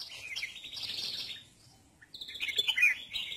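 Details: Red-whiskered bulbul sunbathing, with soft chirping in the background and a short, bright warbled phrase after a brief lull.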